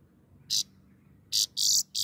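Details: Grey-crowned goldfinch song fragment: one high buzzy note, a pause of nearly a second, then three more harsh buzzing notes close together against faint low hum.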